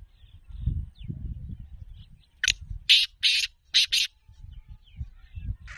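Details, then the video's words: Black partridge, or kala teetar, giving its harsh rasping call: a fast run of four or five loud, buzzy, broadband notes packed into under two seconds, with low wind-like rumble before and after. "Black partridge voice kala teetar ki awaz taro ki awaz کالا تیتر کی آواز"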